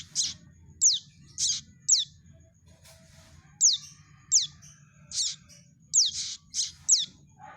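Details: Prinia chick calls used to lure birds for trapping: sharp, high chirps dropping steeply in pitch, given singly about every half second to second, with a soft low rumble behind.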